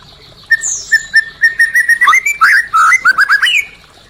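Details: White-rumped shama song used to stimulate caged birds that stopped singing: a run of clear whistled notes near one pitch, then quick varied rising and falling phrases, about three seconds of loud, rich warbling.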